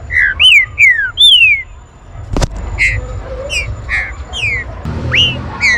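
Green-winged saltator singing loud, clear whistled phrases, rising then sliding down, repeated about every half second, with a faint low hum beneath.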